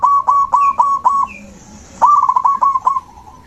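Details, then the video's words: Zebra dove in song, offered as therapy for a dove that went quiet: two rapid, stuttering series of clear coo notes separated by a short pause, with a faint whistle between. "Terapi alam perkutut macet mogok bunyi"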